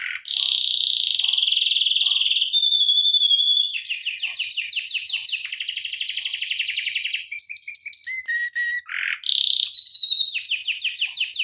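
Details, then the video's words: Canary rolling song meant as a tutor for other canaries: a steady buzzy roll, then fast stacked trills, a brief lower dip, and a return to rapid repeated notes, continuous and loud. "Kenari Masteran Suara Gacor Ngeroll Panjang Untuk Pancingan Maupun Masteran"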